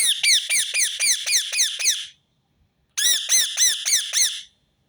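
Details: Rose-ringed parakeet screeching in two fast bursts, about nine and then seven grating, downward-sliding notes, with a brief silence between. The call is repeated to make other birds sing.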